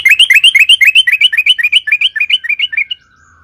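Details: Yellow-vented bulbul in a fast, steady run of bright, slurred notes, about four each second, slowly dropping in pitch before stopping; used as a lure to make other bulbuls sing.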